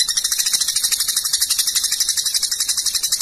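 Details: Long-tailed shrike delivering continuous rapid-fire 'tembakan' song, a master recording for training competition cage birds: an unbroken, fast, harsh rattling buzz of evenly spaced pulses throughout.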